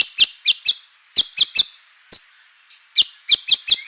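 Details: White-rumped shama, recorded to provoke other shamas into singing: harsh, raspy high notes delivered in quick pairs and triplets with short pauses.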